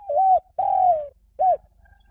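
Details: Spotted dove call, used as a lure to draw birds in quickly: three low, mellow coos, a medium note, then a longer drawn-out coo, then a short rounded final note. Faint low hum underneath.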